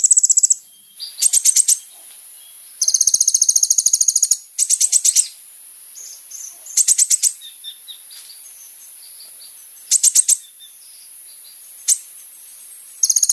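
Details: Sunbird in lively song, used to lure other sunbirds into answering: repeated very high, fast rattling trills of varying length, from short bursts to sustained two-second runs, with faint high chips between phrases.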